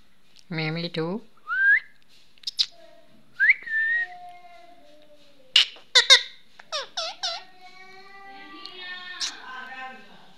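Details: Indian ringneck parrot, a pet talking parrot kept indoors, giving harsh harmonic chatter, then two short rising whistles and a run of clipped squawky syllables ending in a falling, drawn-out note.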